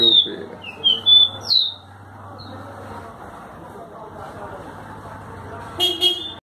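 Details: Double-collared seedeater (tui tui) from João Pessoa, Paraíba, Brazil, giving several short clear whistled notes in the first two seconds, then a pause before a final bright burst, with a low hum and faint music underneath.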